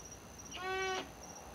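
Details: An unidentified bird, possibly a large round owl, honks outdoors around midnight: one nasal, reedy honk of about half a second with rich harmonics, over a faint steady high whine.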